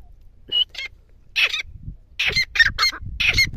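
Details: Grey francolin calling outdoors, giving harsh ringing notes in irregular clusters with gaps between them, over low rumbling background noise.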